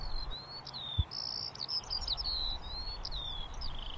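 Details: Eurasian skylark pouring out an unbroken stream of high chirps, slurred whistles and rapid trills, with a single low thud near the start and steady low rumble beneath.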